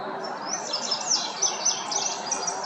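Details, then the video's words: In late May at Noel Dorwart Nature Preserve, Lancaster County, Pennsylvania, an Indigo Bunting sings from a tree, then keeps singing at ground level: a run of quick, high, sweet notes, some slurred and some paired, over steady outdoor hiss. "An Indigo Bunting was singing from a tree."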